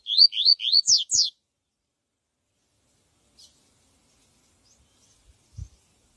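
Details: Yellow-bellied seedeater, viviti song for training young birds: a quick burst of three rising whistles and two steep descending notes in just over a second, followed by long near-silence with faint clicks.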